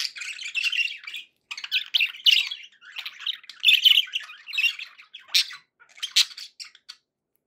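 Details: Cheerful pet budgerigar chatter in a small room: scratchy warbling phrases and sharp chirps, tapering into isolated clicks and squeaks near the end.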